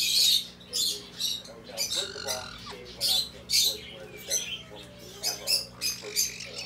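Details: A very close pair of black-headed caiques (Pionites melanocephalus) give harsh, high squawks and screechy chirps in quick bursts about every half second, over a steady low hum.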